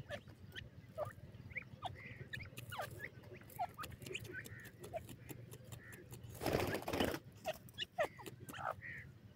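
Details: Several francolin (teetar) chicks peep softly during feeding, giving brief upslurred chirps among frequent clicks, with a short burst of rustling noise near the middle.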